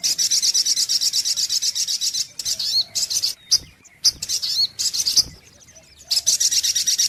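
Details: Sunbird song from a lure recording: a fast, high, buzzy series that breaks into scattered slurred, looping notes and short bursts, then resumes as a rapid repeated chatter.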